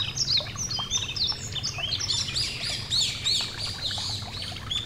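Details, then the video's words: Yellow-throated bunting (Emberiza elegans) singing beside a gentle stream: a steady run of high, thin chirps and quick arched, slurred notes that overlap closely, with a soft low murmur of flowing water underneath throughout. "A Gentle Stream & The Yellow-Throated Bunting (Emberiza Elegans)"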